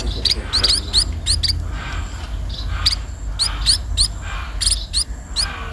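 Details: A sparrow being fed utters high, quick rising chirps in small groups separated by short gaps, over a soft low background rumble.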